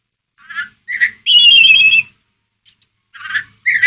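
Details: Ngeriwik call of a white-rumped shama, played to provoke a pet shama's emotion: short rough notes lead into a long loud buzzing trill, then more clipped harsh bursts.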